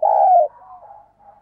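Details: Spotted dove lure bird cooing in thúc and gáy style to attract wild doves. It opens with a loud, steady, slightly falling coo, followed by soft trailing coos that fade out.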